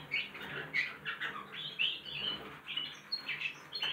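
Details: Young goldfinch and canary hybrids practising song: separate bright chirps and short rising notes, roughly one per second with quieter twitter between, and a soft hum below.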